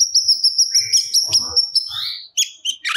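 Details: Cucak cungkok in full, energetic song, delivering its stored repertoire: a sustained high thin whistle pulsing steadily, broken by short chirps, then bright rising notes and a raspy burst at the end.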